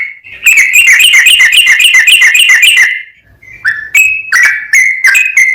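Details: A sooty-headed bulbul sings vigorously in ropel style: a fast buzzy trill of rapid repeated high notes for over two seconds, a brief pause, then separate clear whistles sliding in pitch.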